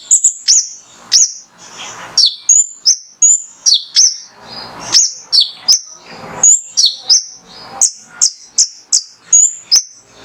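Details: Energetic male mangrove whistler (konin) song used as a lure to excite other birds into song: dense bursts of piercing high whistled notes, many dropping sharply in pitch, fired about three per second with short breathy rustles in the gaps.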